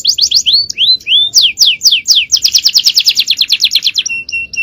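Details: Canary giving 'cengkok jawara' champion song as a long training recording for other birds. Varied sweeping whistles run into a dense, fast trill, which ends in short, evenly pitched whistles.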